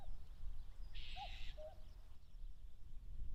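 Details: Common cuckoo in late May near Mount Fuji, Japan, engaged in territorial disputes: a single falling cu-coo pair under a short buzzy trill, then quiet low background noise.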